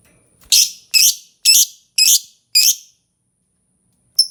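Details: Lovebird uttering five harsh, high screechy notes spaced about half a second apart, followed by a pause and one brief squeak at the end.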